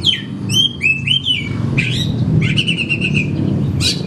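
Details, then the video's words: Kacer, the oriental magpie-robin, a cage bird singing to stir other birds into song: fluty downslurred whistles at the start, then a harsh note and a dry buzzy rattle, ending with a loud scratchy burst; low hum throughout. "Sekali Putar Kacer Macet Bunyik Langsung Bukor Bongkar materi"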